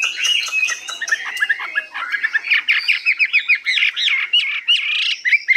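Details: Hwamei kept in a cage, newly arrived and 85% tame, singing high with long phrases: scratchy chatter gives way to a fast series of loud, looping whistled notes.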